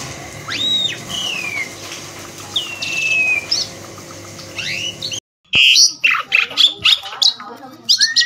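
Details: Asian pied starling, tame, singing while perched on the hand outdoors; loud whistled slurred notes and rising and falling whistles, then after a brief break a burst of harsh chattering squawks and sharp repeated notes.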